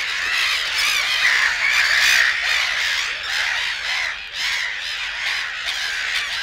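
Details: A dense Black-headed gull chorus in the reed beds of Matsalu, USSR, field recording: grating, arched squawks overlap continuously, with some drawn-out cries standing out early and a brief lull just past four seconds.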